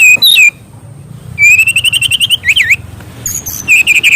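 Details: Mangrove whistler song used as a master recording for training young birds: loud bursts of clear, slurred whistles, sweeping down and up, separated by short pauses, over a faint low hum.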